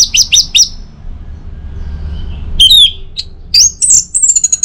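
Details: Orange-headed thrush, morning playback to prompt singing: three quick high notes, a soft pause, then downslurred whistles and a high sustained, slightly fluttering note.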